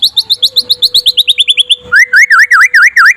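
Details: White-rumped shama singing by day, used as a master recording to draw other shamas into song: a rapid run of about fifteen short, clear whistled notes slurring downward, then loud buzzy rising-falling notes, over a steady faint hum.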